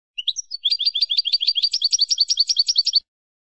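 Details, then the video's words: European goldfinch, 'campero' type, singing a tutoring song for captive birds: a few rising introductory chips, then a dense, fast, liquid twitter of high notes lasting nearly three seconds, with no other sounds. "cd jilguero para educar"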